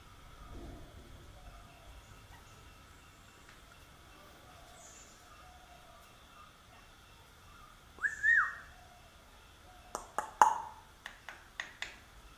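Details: A Sri Lankan talking myna gives one loud rising-and-falling whistle, then a quick run of sharp clicking notes, over a faint background hum.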